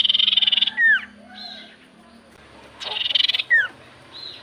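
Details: Common iora song used to set off silent birds: two buzzy rasping bursts, each ending in a sharp downward whistled slur, with a steady low hum behind.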